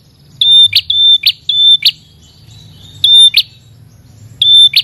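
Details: A red-headed prinia (prenjak kepala merah) calls to a rival. High clear whistles ending in buzzy snaps come in short bursts of two or three, with pauses of about a second between bursts.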